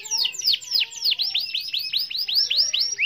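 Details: Canary rolling at length to challenge a rival: bright downward-hooked whistles repeated roughly every quarter second, high and clear, with a faint lower tone beneath.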